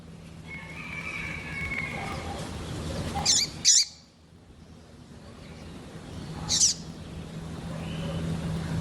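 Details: Female double-collared seedeater, a chirpy 'piadeira' female kept to stimulate and excite males: short, sharp high chips, two close together then one more a few seconds later, with a faint drawn-out whistle and a low steady hum behind.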